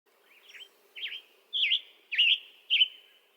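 Western Tanager singing five short, hoarse, burry robin-like phrases about every half second, each a little louder than the last; a faint low hum beneath.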